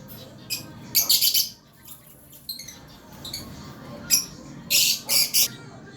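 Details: Pet lovebirds chirping in the morning: sharp, high, scratchy chirps in short clustered bursts with pauses between, some notes doubled or tripled quickly.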